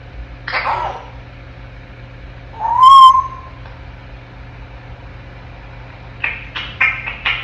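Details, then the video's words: In its crib, a 10-month-old African grey parrot makes a short breathy babble, then one loud clear whistle rising slightly, followed by a quick series of clicking, chattering notes; soft hum in the background. "AFRICAN GREY PARROT TALKING AND MAKING SOUNDS"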